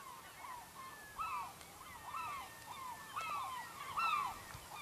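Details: Gulls call near a fishing village in Lofoten, Norway, giving separate loud, downward-curving yelps about once a second, each with ringing overtones, over soft background hiss.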